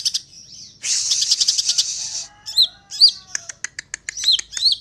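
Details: Singing greater green leafbird (cucak ijo): a long high buzzy rattle, then a varied string of sharp clicks, chips and downslurred whistles delivered in quick irregular succession.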